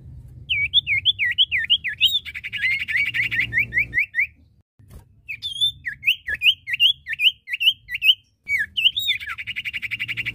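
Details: Male and female iora, known locally as cipoh or sirtu, sing loud repeated whistled notes that swoop down and up, broken by harsh buzzy rattles, with a short pause midway.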